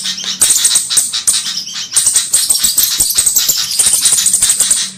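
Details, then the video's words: Cabe-cabean, a flowerpecker, in a bird-trapping lure track aimed at the Javan kemade: rapid high-pitched ticking chips in long busy bursts with short pauses, a faint low hum underneath. "mp3 suara 𝗣𝗜𝗞𝗔𝗧 spesialis burung 𝗞𝗘𝗠𝗔𝗗𝗘 𝗝𝗔𝗪𝗔 | 𝗖𝗔𝗕𝗘-𝗖𝗔𝗕𝗘𝗔𝗡"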